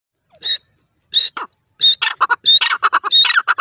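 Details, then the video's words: Black francolin, the tetar, building into its call: scattered harsh notes at first, then grating drawn notes each followed by a burst of short, sharp clipped notes, growing denser toward the end. "tetar awaz, teetar bird, black francolin voice"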